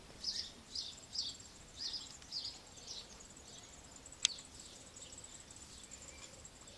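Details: Eurasian wryneck young being fed by parents with termites, ants and insects, Alzira, Valencia, Spain, May: a quick series of about ten high, thin squeaky notes, roughly two per second, then a sharp click and faint insect buzz.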